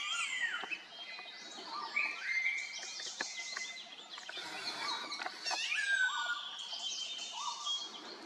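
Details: Grey-sided laughingthrushes (Pterorhinus caerulatus) at Khonoma, Nagaland, India, in April 2024, giving a busy run of loud, clear whistles and chattering notes, several birds overlapping in a lively chorus.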